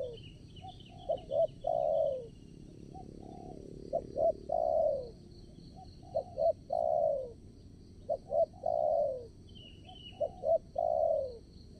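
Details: Decoy spotted dove at a new trapping location, calling to draw in wild doves. It gives repeated coo phrases every few seconds, each with brief soft notes and then a drawn-out descending hoot, over constant insect hum.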